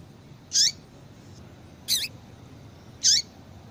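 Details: Female double-collared seedeater call, played to make males sing: three short high chirps, each ending in a downward-sweeping squeak, spaced about one and a quarter seconds apart over a faint steady background hiss.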